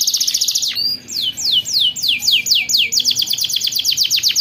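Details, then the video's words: Canary tutor song for young canaries: a fast high rattling trill, a short sliding note, then measured descending whistled sweeps that gradually quicken into a rapid rolling series. "KENARI GACOR PANJANG Ngerol Panjang untuk Pancingan Kenari Paud Belajar Bunyi"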